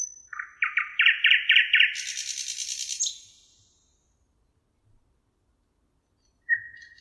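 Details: Thrush nightingale (Luscinia luscinia) on the Emajõgi river in Tartu, Estonia, 1 June 2018, singing a fast series of about six loud clicking-chuck notes, then a harsh high rattling flourish, a pause, and a pure whistled note.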